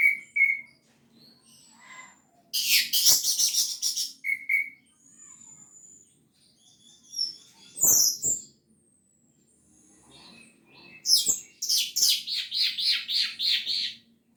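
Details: Orange-headed thrush in full 'gacor teler' material used to coax quiet birds to sing: short whistled notes, a buzzy rapid trill, scattered sharp clicks and chips, ending in a long rattling, stuttered phrase.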